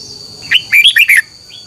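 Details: Red-whiskered bulbul morning contest song used for bird training: one brief phrase of four quick, rolling whistled notes dipping and rising, with a faint high hum behind.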